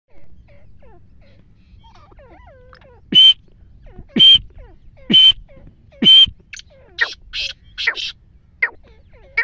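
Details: Black francolin call: after a quiet start, four loud, sharp, grating bursts come about once a second, followed by a run of shorter, softer harsh notes.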